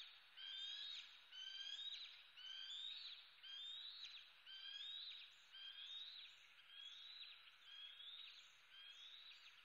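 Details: Young bald eagle screaming for food, Southwest Florida, USA, 06:25 on 8 May 2016, flying into a slot; shrill rising squeals repeated roughly every second in a steady series, each sliding upward, with faint background hiss.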